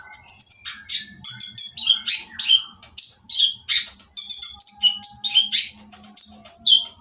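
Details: Noisy oriental magpie-robin song used to provoke other birds of its kind into singing: a continuous, varied stream of high whistles, harsh rasps and falling slurred notes, with a soft low hum beneath.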